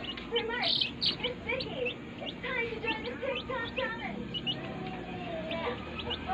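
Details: Day-old chicks in a brooder chirp in bursts of shrill, quick peeps. Short rising flicks and a few drawn-out notes layer into a lively chorus.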